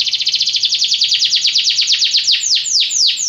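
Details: Belgian canary song: an accelerating series of quick chirping notes that broaden into slower, loud downward swoops toward the end.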